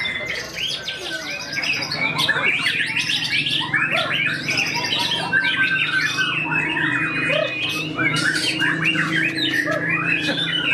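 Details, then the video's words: Tame caged white-rumped shama at a song contest, pouring out mimicked fill-in phrases: rapid varied whistles, chirps and harsh notes about four per second, high and tumbling, overlapping other contest birds' song. "MB Kodrat Muntahkan Isian di Tiket Utama 16G❗ burung yang berkarakter jinak"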